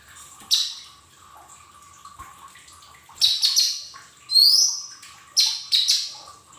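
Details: Lesser green leafbird singing in a lure recording meant to start caged birds singing: short scratchy bursts roughly a second apart, a clear upward-sweeping whistle in the middle, and more harsh double notes after it.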